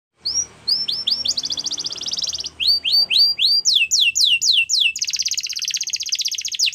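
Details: A Belgian canary sings fast, high rolling trills: rising whistled notes repeated about four per second, then a rapid buzzy roll, with faint low background hum.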